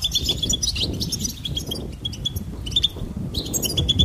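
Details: Goldfinch twittering in quick bursts of high, clear chirps and tinkling trills, broken by short gaps, set against noticeable low rumbling background noise.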